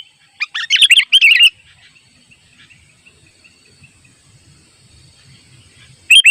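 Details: Sooty-headed bulbul in the wild calling to challenge rivals, set up for simple trapping: a short burst of lively, bubbly chirped notes, then near silence with faint scattered chips, then a fresh burst at the end.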